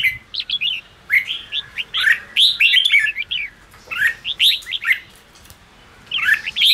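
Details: Song of a red-whiskered bulbul, played to excite timid or freshly trapped caged birds into singing: lively warbled whistles and rising chirps in bursts about a second long, separated by brief pauses.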